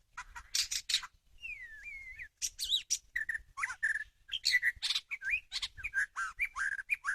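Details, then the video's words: White-rumped shama singing as a trapping lure: rich continuous medley of whistled slides, a long wavering whistle, harsh buzzy notes and rapid chirps, rich and varied, with barely a pause. "pikat burung murai batu"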